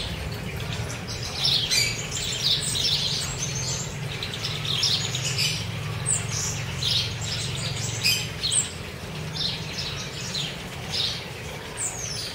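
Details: Chopi blackbirds feeding freely near Cuiabá, Mato Grosso: dense chatter of high chirps and whistled notes from several birds, in clusters, over a persistent low droning hum.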